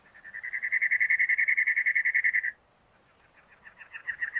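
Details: Cactus wren chattering a long run of about twenty-five quick, grating notes over two and a half seconds, then a pause before a softer, fainter chatter begins again; constant high-pitched background hiss.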